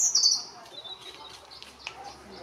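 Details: A European robin (Erithacus rubecula rubecula) singing at Tafira, Gran Canaria, in August 2022: a loud, very high, thin note sliding slightly downward, followed by faint, scattered high tinkling notes.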